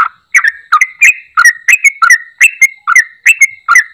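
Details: Yellow-vented bulbul in full song, a call meant to make a silent bulbul sing again: short bubbly whistled phrases, each a quick warble with rising and falling notes, about ten bursts in quick succession with brief gaps.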